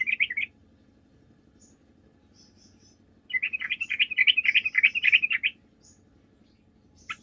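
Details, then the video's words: Yellow-vented bulbul in full chattering song, used as a lure to provoke replies from other bulbuls: a short burst, a pause, then about two seconds of dense, rapid, bubbly notes and a final chirp. "PANCINGAN TRUCUK GACOR, TRUCUK MANAPUN DIJAMIN LANGSUNG NYAUT"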